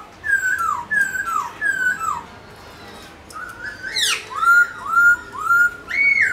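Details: Caged black-throated laughingthrush singing while dancing; three descending slurred whistles, a pause, then a sharp downward sweep and a run of bright arched whistles, recorded indoors.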